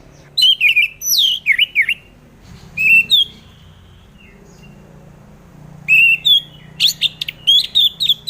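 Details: Orange-headed thrush singing, played as a lure to coax reluctant birds into song; bursts of clear, swooping whistled notes with varied phrases, broken by a quiet gap of a few seconds.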